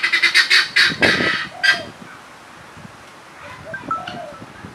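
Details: Turkey (Meleagris gallopavo), chirp.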